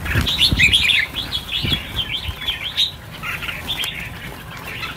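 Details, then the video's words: Chirps and quick, looping warbles pour from many red-whiskered bulbuls freed in a mass release of 1000 birds, with wing flapping early on. "Phóng sinh 1000 con chim chào mào - chào mào căng lửa"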